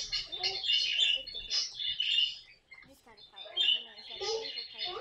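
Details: Pet caique parrot squawking: loud, scratchy screeches in quick clusters, a short pause near the middle, then further rasping calls and chattering notes.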